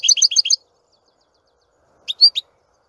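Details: Short fragment of European goldfinch song, a rapid series of high chirps followed after a pause by a few sharp twittered notes.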